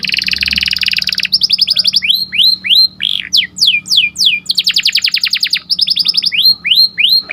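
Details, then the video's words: Morning song of a canary, sweet and lively: a dense buzzing roll, then varied trills of down-slurred notes at changing speeds, with a fast rattling section and sweeping whistles. "Suaranya Merdu Dan Lincah Nyanyian Burung Kenari Dipagi Hari"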